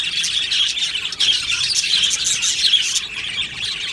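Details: Aviary full of Australian budgies: a thick layer of high chirps and twittering warbles, with a few clearer whistled notes rising above the steady flock chatter.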